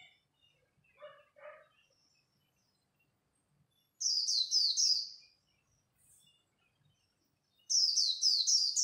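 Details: . Japanese white-eye singing in the khuyên líu style, competing at dawn: two bursts of very high, rapid twittering, each a run of quick descending notes. Fainter lower chirps come just before.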